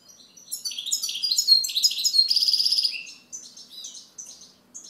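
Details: European goldfinch singing: a rapid, tinkling run of high twittering notes and buzzy trills, ending in a bright, harsh rattle around the third second, then softer scattered chirps fading out.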